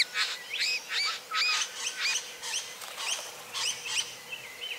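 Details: Satin bowerbird in courtship giving a string of short rising whistled notes with buzzy edges, grouped in quick pairs and triplets, ending with a short level whistle.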